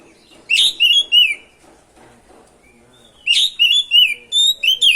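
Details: Energetic ngerol song of an oriental magpie-robin, used to rile other magpie-robins into singing; a burst of bright whistled notes with downward slides, a quiet gap of two seconds, then another run of repeated whistles.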